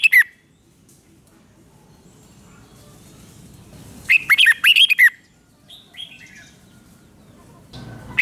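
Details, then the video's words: Red-whiskered bulbul in Thailand giving its doubled five-syllable song. A single clipped note, a long quiet gap, then one fast, lilting phrase of about six whistled syllables, with a fresh phrase starting at the very end. "เสียงนกกรงหัวจุกเบิ้ล2 เบิ้ล3 เพลง 5 พยางค์"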